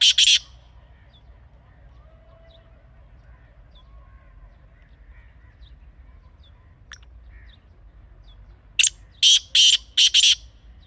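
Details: Kala teetar (black francolin), a wild bird from Pakistan, recorded outdoors for hunting: a single rasping note, a long near-silent gap, then a rapid phrase of five harsh, grating notes.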